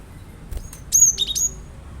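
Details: Cinereous tit song played as a lure to get a kept bird singing along: a quick cluster of high, thin whistled notes with sharp up-and-down sweeps lasting about half a second, over a low steady background hum.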